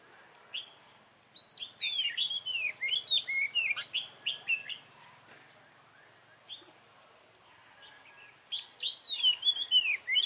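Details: Red-whiskered bulbul, a wild-caught dark-bibbed bird, during trapping with a decoy on 24 March 2018; loud, fast chattering song of looping whistled notes in two long bursts separated by a quiet pause.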